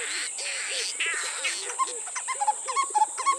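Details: A male and female Black-collared Barbet duet: they open with harsh, scratchy notes, then break into the quick, bouncing 'too-puddly' call of rapid ringing phrases, over a steady high insect hiss.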